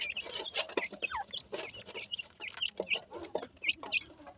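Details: Dakhni teetar chicks peeping steadily while playing: short arched chirps, several per second, mixed with sharp clicks and soft rustling.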